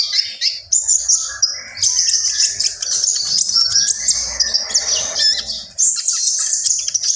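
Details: Intense gacor song from a common iora (konin), a dense, almost continuous high chatter with harsh buzzy trills and overlapping whistled notes, barely pausing.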